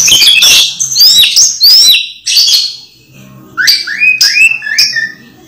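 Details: A moulting Orange-headed thrush, still singing actively despite the moult, gives loud, varied whistled phrases with rising and falling slurred notes in short bursts with brief pauses between them.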